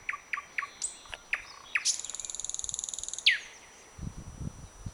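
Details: Nightingale singing from the branches of a blooming bird cherry on 21 May: a varied phrase of separate sharp notes, then a rapid buzzy trill of high repeated pulses, a falling whistle, with low rumbling noise toward the end.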